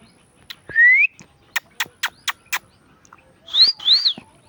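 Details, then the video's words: Indian ringneck parakeet talking and making sounds: a rising whistled note, a run of five sharp clicks, then two bright arched whistles close together, with no other sounds around. "Indian ringneck parrot talking and making sounds"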